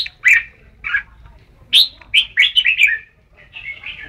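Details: Red-whiskered bulbul: bright warbled phrases that quicken into a rolling chatter of connected notes, then softer trailing whistles.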